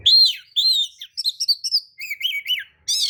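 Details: Oriental magpie-robin lure singing to goad others into responding, tail open: clear, slightly warbling whistles, then quick clipped notes and a looping three-part phrase, ending in a harsh buzzy burst.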